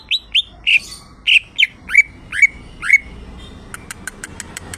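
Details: Greater green leafbird (cucak ijo), a kept bird in full song: eight clear, slurred whistled notes, early ones rising and later ones dropping, spaced about half a second apart, then a rapid series of faint clicks.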